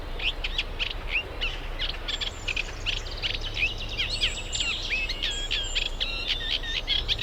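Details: Eurasian reed warbler singing in its natural reedbed setting at a UK nature reserve as birds pair up to nest; rhythmic, jerky chatter of repeated chirps and clicks, each phrase doubled or tripled, with low rumbling noise behind.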